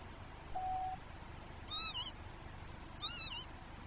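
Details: Northern lapwing pair, distressed about their chick, driving it away from nearby herons, filmed by a live bird camera in Finland. Two high, wheezy, slurred calls sound about a second apart over steady background noise, after one faint flat whistle.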